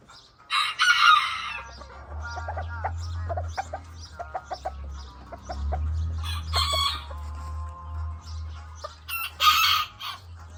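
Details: Azteca roosters, several birds: loud harsh crows near the start, midway and at the end, each about a second long, with clucking and soft calls between and a steady low rumble underneath.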